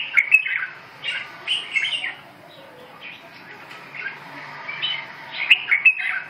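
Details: Red-whiskered bulbul: clusters of quick, sweet whistled chirps at the start, a softer lull, then another bright burst near the end.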